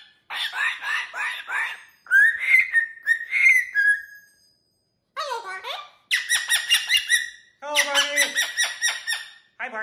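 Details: Energetic pet cockatoo on a TV stand inside a home, giving rhythmic runs of raspy, harmonic chattering notes mixed with short rising whistles, broken by brief silences and a few swooping calls.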